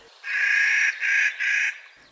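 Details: Clark's nutcracker, a mountain-dwelling crow relative, gives three harsh, grating crow-like caws in quick succession, the first longest, with slight breaks between them.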